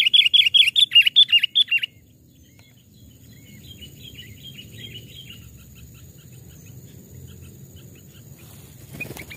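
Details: Sooty-headed bulbul kept caged after trapping, two or three years old, sounding off in a forest; a loud rapid string of about eight ringing notes for two seconds, followed by fainter distant chirps and insect hum.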